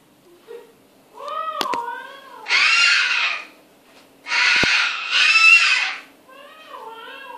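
A cockatoo's voice-like talking phrases, wavering and tonal, break between two long, harsh, raspy screeches, each lasting over a second.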